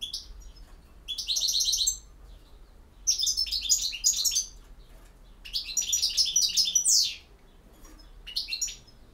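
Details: Goldfinch, European, singing its campero song in four lively bursts of fast tinkling trills, sharp chirps and rising slurred notes, with brief pauses between phrases and a faint low hum.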